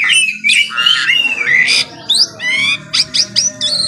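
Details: Morning song of an Asian pied starling: rich whistles and harsh squawky notes, then quick rising chirps in a rapid run.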